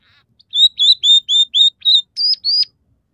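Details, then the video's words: Singing scaly-breasted munia delivering clean, evenly repeated whistled notes, about four per second, each slightly slurred, with the last two pitched higher and rising. "suara burung emprit peking gacor dengan tiga variasi lagu"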